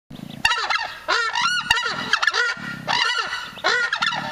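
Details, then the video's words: Southern screamer (Chauna torquata), captive-bred in Belgium through artificial insemination, gives loud, harsh, goose-like honking calls, several bursts in quick succession with rising and falling nasal notes that carry far. "Chauna torquata Kuifhoenderkoet"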